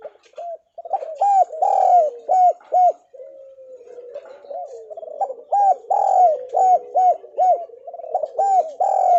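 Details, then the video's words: Lure cooing of a Javan spotted dove meant to prompt idle doves to answer: two runs of loud arched coos, about two per second, separated by a low sliding murmur, with overlapping softer coos. "Deruk Terkukur Gacor!! [ cu gáy jawa ] Chim cu gáy gọi kích bổi nhanh nổi hiệu quả mới nhất"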